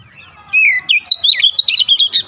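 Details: Oriental magpie-robin (kacer) singing gacor ngotot, bongkar isian: after a quiet start, a downslurred whistle leads into fast looping warbled notes and a steady series of about ten sharp high chips.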